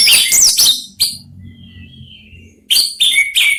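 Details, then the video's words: Three orange-headed thrushes in a calling match: a burst of high twittering, a faint drawn-out whistle, then renewed clear whistled phrases. "3 ANIS MERAH BERSAHUTAN"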